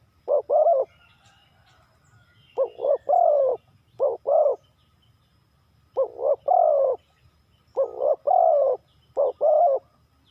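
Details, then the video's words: Spotted dove from Ninh Thuận calling in the Thai '3 kuk hoi' style: low, mellow coo phrases of two or three notes, short lead notes then a longer drawn coo, repeated about every two seconds, with faint low rumble beneath. "เสียงนกเขาใหญ่ 3กุกห้อย เรียกลงกุก2กุก"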